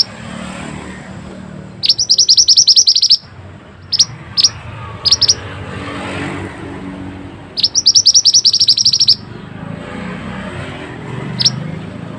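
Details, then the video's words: Rapid high chattering bursts from a pied bushchat, recorded for masteran training; two long runs of quick repeated notes with scattered single sharp chirps between them over low traffic-like rumble. "suara burung mantenan super unik"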